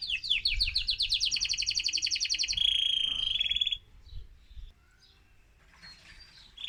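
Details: Male mosaic canary in excited song to stimulate other birds: quick descending notes flowing into a dense rapid trill, a flat whistled tone, then faint scattered notes as the singing fades.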